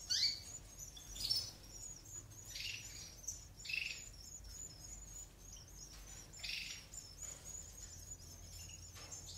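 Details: European goldfinch chicks in an aviary being fed by their eumo-mutation mother during natural rearing: rough, hissing chirp bursts repeat about once a second, some louder than others, over a low steady hum.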